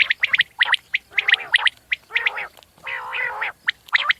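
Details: Common quail calling: sharp clipped notes near a steady pitch in quick clusters, broken by rougher, buzzy, harmonic-rich bursts lasting about half a second; several birds seem to overlap.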